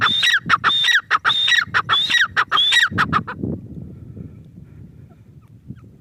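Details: Teetar (grey francolin) giving a run of ringing whistled phrases with falling harsh tails, repeated steadily for three seconds before stopping, leaving low background rumble.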